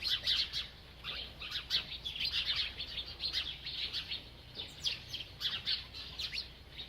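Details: A bird chirps while eating: dense bursts of short, high, sharp chirps, tightly packed and nearly continuous, with brief gaps between clusters.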